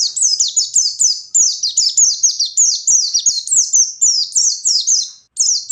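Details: Continuous ngalas song of a chattering white-eye for baiting rivals: nearly six seconds of fast, high, downward-sliding notes, about four per second, with only a tiny gap near the end.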